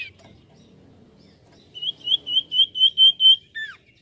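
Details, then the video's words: Used as a lure call, a common iora song: a steady trill of about eight bright notes on one pitch, followed by a short downward slur, against a quiet low rumble. "Sekali putar Burung cipoh langsung nyaut"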